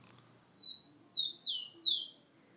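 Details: Rufous-collared sparrow singing at home, a bird received from a friend in Rio de Janeiro, Brazil: two thin level whistles followed by three louder downslurred notes, all high-pitched, in a short clear phrase.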